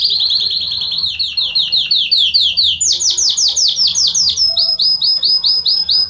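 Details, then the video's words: Loud Belgian canary song meant to warm up a canary: long chains of fast repeated sweeping notes, shifting upward in pitch midway and then to a steadier rapid roll. "Canário Belga Estourado esquente seu canário belga em 30 minutos"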